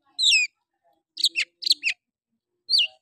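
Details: Oriental magpie-robin giving a rough "shooting" song: clear, high whistles sliding downward, then a quick burst of four rich, scratchy phrases and a final falling whistle.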